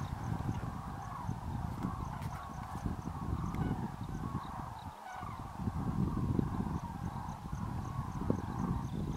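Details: Common Cranes, a flock estimated above 40,000, taking off to roost at dusk in winter at the Great Rann of Kutch; constant overlapping trumpeting with strong low-pitched rumble and occasional clicks throughout.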